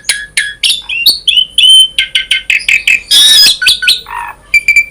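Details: Varied 'gacor full isian' singing from an Asian pied starling, offered as a prompt to get starlings singing: quick chirps and upward-slurred whistles, a loud rasping burst midway, then bright clear notes resuming.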